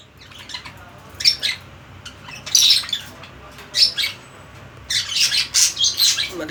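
Budgerigar giving harsh, scratchy chirps and squawks in irregular bursts, a longer chattering run near the end, with faint indoor room noise.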